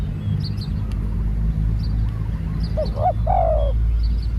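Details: Spotted dove, newly trained bird, delivering one cooing phrase near the end, a quick double note then a longer falling coo, after a stretch of low engine-like rumble and scattered high chirps of small birds.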